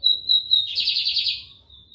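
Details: Bigodinho americano (Lined seedeater) from São Luís, Maranhão, Brazil, giving sharp repeated whistled notes that run straight into a dense, rattling buzzy trill, then a thin trailing whistle.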